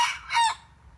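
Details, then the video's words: Decoy red junglefowl practising its crow, used to lure wild junglefowl: a short, harsh, broken crow fragment of two quick bursts, then quiet. "เสียงไก่ต่อไก่ป่า หัดขัน"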